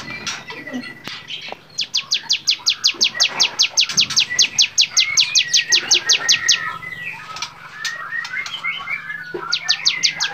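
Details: Bar-winged prinia song used to train songbirds, with a rapid string of high, sharp downslurred notes at about three per second in the middle, scattered chirps around it and a low steady hum beneath.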